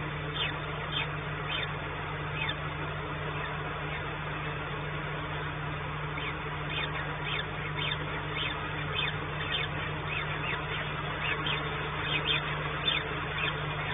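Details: Peregrine falcons at their nest in Płock, Poland, on 28 April 2019, as the female tries to feed but finds only leftovers: many short sharp chipping calls in irregular bursts, under a constant electrical hum.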